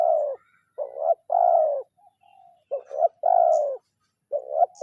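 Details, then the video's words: Spotted dove, kuk 0-1 lure call to a rival: repeated phrases of stuttering short notes followed by a long, slightly descending coo, with a faint whistle-like tone between phrases. "Suara Tekukur Memanggil Lawan"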